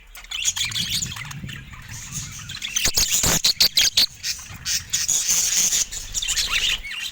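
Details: Budgerigars kept in a cage, the birds going at a camera. Continuous high chirping and warbled chatter with a run of sharp clicks and pecks near the middle, a low rumble underneath.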